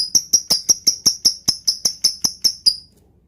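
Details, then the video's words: Lovebird song to stir other lovebirds: a clean series of about fourteen sharp, high clicking chirps, evenly spaced roughly five per second, then silence. "Pancingan Lovebird Full Ngetik Jeda Rapat Untuk Memancing Burung Agar Cepat Panas"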